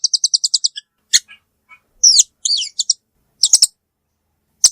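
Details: Velvet-fronted nuthatch giving a fast run of eight high, even chips, then scattered sharp notes and short buzzy, warbled phrases; quiet background.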